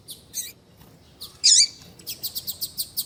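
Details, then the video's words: Double-collared seedeater calls played to rouse a male: a few faint chirps, one loud harsh burst, then an even series of about eight high, clipped ticks. "Esquentar coleiro com Piado de fêmea de coleiro e coleiro tui tui cantando"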